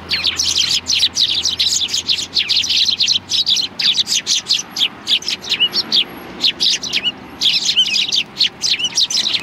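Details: A flock of sparrows gathers for food at a Tenmangu shrine, 16 January 2020, chirping almost without pause: dense, overlapping high tweets that run nearly continuously, easing briefly in the middle before building again.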